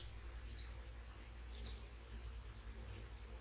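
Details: Hummingbirds visiting at sunrise, birds arriving one after another near a small water fountain; two brief bursts of tiny, very high squeaky chips about a second apart, then faint scattered high ticks over a quiet background.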